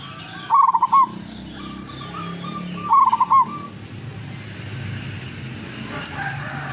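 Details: Zebra dove, a wild local bird from Tuban, East Java, giving two bursts of rapid rolling coos about two and a half seconds apart, each followed by a softer drawn note, amid low humming background noise.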